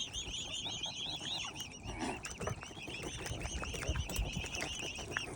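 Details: Young swans, five hungry cygnets with their family, keep up a steady stream of high, downward-curving peeps, many overlapping, above soft low-pitched background noise.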